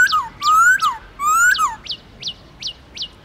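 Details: Black-throated laughingthrush, wild-type singing used to stimulate caged birds: two long rising whistles broken by sharp high notes, followed by a steady series of short, sharp, descending chips about every half second.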